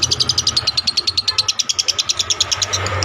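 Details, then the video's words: A lovebird's drawn-out ngekek, kept as a tutoring recording for other birds: crisp, high-pitched chatter notes repeated about ten times a second at steady strength over a faint low hum. "LOVE BIRD NGEKEK PANJANG"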